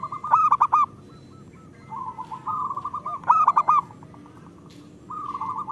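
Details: Local zebra dove singing steadily, played as a lure to prompt lazy caged doves to sing: bursts of quick stuttered cooing notes alternate with a rolling, even series of soft purring coos at one pitch, with a quiet pause between phrases.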